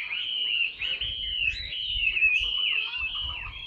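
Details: Tame caged Chinese hwamei, large and singing profusely, delivers an unbroken warbling whistle wavering up and down, with soft low thumps in the background.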